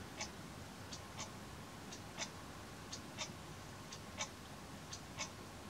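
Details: Daurian redstart (Phoenicurus auroreus), call.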